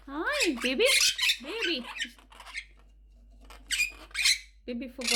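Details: Pet monk parakeet, described as angry after its nest box was removed, giving loud, harsh, raspy squawks in short bursts, mixed with a person talking and cooing to the bird.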